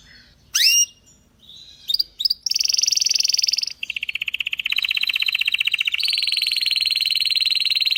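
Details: A Belgian canary sings a quick rising chirp and a few scattered notes, then a high buzzy trill that falls into a lower rapid rolling trill and climbs again to a sustained, even roll.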